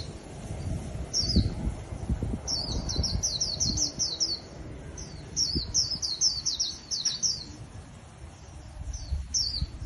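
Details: Wild-caught white-eye kept as a cage bird pours out clustered rapid high twitters, each note sliding downward, in several bursts with brief silences between them, over a faint low hum.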